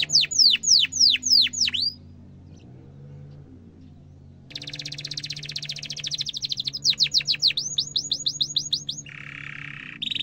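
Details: Canary ngerol and cuit-cuit song, a tutor for young canaries. High sweeping chirps, a quiet pause with a low steady hum, then a dense trill, descending whistles and a buzzy lower phrase, over constant background hum.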